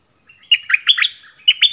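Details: Yellow-vented bulbul decoy song for wild birds: a gurgling series of quick warbled notes, followed closely by the start of a second phrase.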